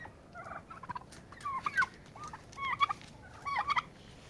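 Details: Turkeys fighting to establish dominance and a pecking order: a series of short rattling, harmonic bursts, some rising, arriving in clusters about every second. Sharp clicks and knocks from the scuffle are scattered between them.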